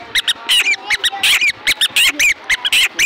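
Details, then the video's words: Black francolin calling: loud, harsh, grating notes in quick uneven series, each a rough burst with a short upward-bending squeal, repeated about a dozen times in three seconds. "Kala tetar voice"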